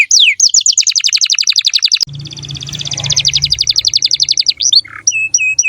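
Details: Female canary singing energetically: rapid high trills of repeated downswept notes, about four per second, running for several seconds, ending in a few separate rising-falling whistled notes, with a low hum in the background.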